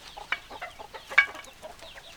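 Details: Hens clucking: a run of short, low, throaty clucks in quick succession, broken by a couple of louder squawking notes, with faint higher chirps behind.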